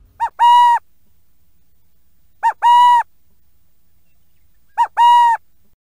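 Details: A Burrowing Owl in Idaho, a dusk-and-dawn-active species, gives a soft short note and then a longer, steady, slightly nasal coo. The phrase repeats about every two and a half seconds against a quiet background.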